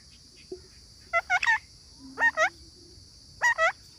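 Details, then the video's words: Parrot giving three paired calls a second or more apart. Each pair is two quick rising-falling squawks. A brief low tone sounds between them, and a constant high whine runs in the background. "Parrot talking videos"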